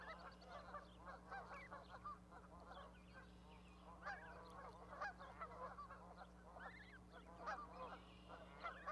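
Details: Goslings with their parent on an osprey nest platform at Charlo, Montana, May 12, 2020, shortly before leaving for the water. Long stretch of clustered honks and short calls, bursts growing louder, steady hum behind.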